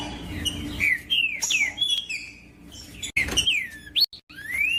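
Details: Green-winged saltator singing to stimulate a cold bird: whistled phrases of falling slurs, a pause, then renewed notes ending in a long rising whistle, broken by brief abrupt silences.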